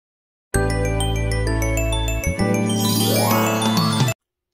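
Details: A bright tinkling jingle of mallet-like notes over a steady low tone, with no animal voice.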